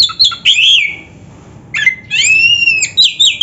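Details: Oriental magpie-robin in 'full isian' song: a quick burst of sharp slurred whistles, a short pause, then a long, smoothly arched whistle followed by a few clipped notes.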